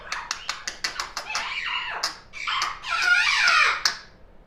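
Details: Chatty young African grey parrot kept as a pet, heard indoors in the afternoon: a quick run of sharp clicks or taps, then rough, speech-like babbling phrases with a whistled tone mixed in.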